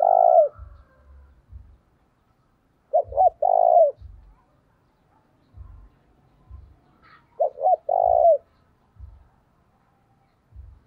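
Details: Decoy spotted dove calling to draw in wild doves, giving three phrases of deep, soft coos about three to four seconds apart. Each phrase starts with quick short notes and ends on a longer falling coo, with dull low knocks between phrases.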